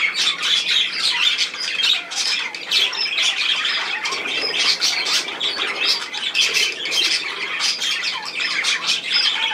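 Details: Flock of budgerigars producing a long, busy run of squawks, chirps and warbles, closely packed and steady in volume.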